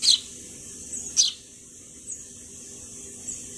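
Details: Sparrow giving two bright, high chirps, one at the very start and another just over a second later, each dropping quickly in pitch, followed by faint distant chirps against a low steady hiss.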